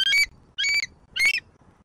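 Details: Bald eagle at a Southwest Florida nest on a live camera, morning of 24 September 2024: three piercing, high, squealing calls, each about a quarter-second long and spaced roughly 0.6 seconds apart, with a quiet background.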